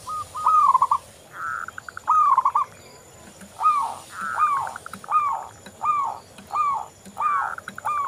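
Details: Local zebra dove (perkutut lokal) singing vigorously, used as a lure to prompt other doves to sing: a stream of soft, bubbling cooing phrases, each a slurred note dipping into stuttering trills, coming roughly every second with overlapping callers.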